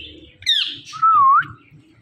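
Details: Speech-mimicking Indian ringneck parakeet: a descending harsh squawk leads into a loud, clear whistled word that dips and rises, with faint low background noise.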